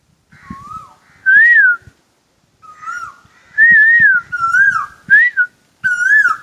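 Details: Asian koel singing: a series of seven clear whistled notes over about six seconds, each rising then dipping, some slurred and some sharper, in irregular bursts, with soft low knocking sounds beneath.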